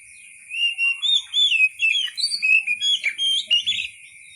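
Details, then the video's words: Oriental magpie-robin singing wild-style: a lively string of sweet whistles, rising and falling slurs, and short trills, about three notes a second, with constant faint high tones behind. "KICAU BURUNG KACER SUARA ASLI KAYAK DI ALAM LIAR"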